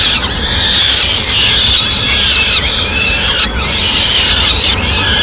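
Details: Peregrine falcon family in Madrid, 29 April 2016, as the mother arrives with food for the chicks: loud, unbroken shrill squealing with arching, wavering notes, a short break midway, and a low background rumble.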